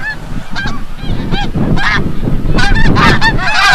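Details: Snow geese returning from the bay at sunset at Forsythe National Wildlife Refuge, Oceanville, New Jersey: a flock gives overlapping arched honking calls, several per second, over a steady low rumble of wingbeats and distant birds.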